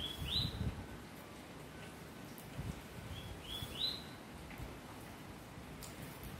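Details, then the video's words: Double-collared seedeater, song labelled 'vírus mortal': two short phrases of thin whistled notes, each ending in a sharp upslurred note, about three seconds apart, over a steady low rumble of background noise. "papa capim vírus mortal"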